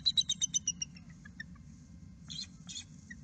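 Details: Bald eagle at its nest on the 36th day of incubation, mid-March, as the pair awaits a hatchling: a quick series of about eight high, thin chirps falling in pitch, then scattered softer notes over a low hum.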